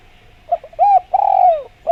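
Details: Spotted dove cooing, played as a lure so other doves answer. A soft double note is followed by a rounded coo and a long, gently falling coo. A clean, close recording with no other sounds.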